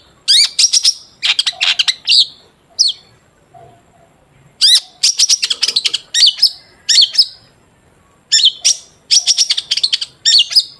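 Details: Long-tailed shrike singing energetically, played as a lure to get other shrikes singing: bursts of rapid, scratchy chattering notes separated by short silences, with a few quick whistled phrases mixed in.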